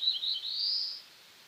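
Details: Black-throated blue warbler singing a few short buzzy notes that merge into a long, slightly rising drawn-out buzz before fading to quiet background hiss.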